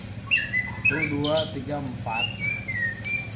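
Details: Young white-rumped shama under mental training gives clear falling whistled notes in small groups, while a person speaks briefly in the middle.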